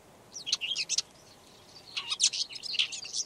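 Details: Song of a red-backed shrike, Lanius collurio: two quick bursts of high, chattering and squeaky notes mixed with short twittering phrases, separated by about a second of quiet.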